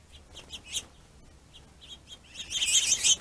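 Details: Finches squabbling over a plentiful food source, territorial aggression; short high chirps in scattered pairs, then a dense burst of overlapping sharp chirps at the end.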